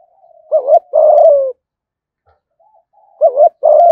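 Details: Spotted dove giving a 'thúc gù' urging coo, used as a lure call. Two low, burry phrases are heard. Each phrase is a short wavering note followed by a longer rolling coo that slides downward. A long quiet gap separates the phrases.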